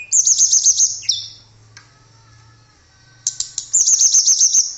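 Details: A blue flycatcher (tledekan) gives rapid, high, jingling note series, then a falling slur. A near-silent gap follows before the fast sparkling series returns; intended as a training song.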